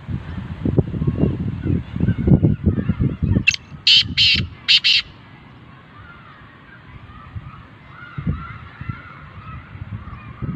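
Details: Black francolin (kala teetar) giving one harsh, grating phrase of five rapid buzzy notes, the third and fourth longest, after a stretch of low rumbling thumps and handling noise; quiet background with faint chirps afterwards.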